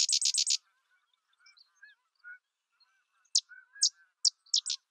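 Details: Sedge wren opening with a fast burst of five dry, high staccato notes, then a pause with faint soft lower twitters, followed by a loose series of separate sharp chips near the end.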